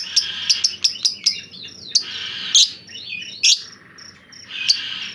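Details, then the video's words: Grumbling white-rumped shama used as a master bird: a quick run of five sharp clicking notes, then scattered loud rasping chips and curling mid-high slurred notes, with long gaps between. "Master murai batu ini biasa koslet malah ngedumel"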